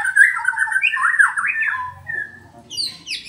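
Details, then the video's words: White-rumped shama of the kesra type from Buntok singing: a string of rich, slurred, fluting whistles rising and falling, ending in a few higher sharp notes, with a low background hum. "Murai batu kesra buntok"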